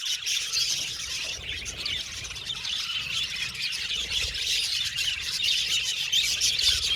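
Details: Budgies chirping and squawking together, rapid high notes repeating roughly four times a second in a loose, uneven rhythm, with harsher squawks among the sweeter tweets.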